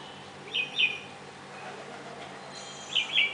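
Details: Red-whiskered bulbul calling at a garden bird bath in Mysore, India, where it comes to drink and bathe: two short, bright, slurred warbled phrases about two and a half seconds apart against steady low hiss.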